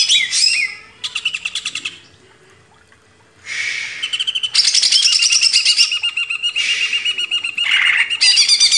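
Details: Greater green leafbird, recorded as a master for training cage birds: energetic high song in loud bursts of rapid repeated notes and buzzy trills, with a silent gap of about a second and a half early on.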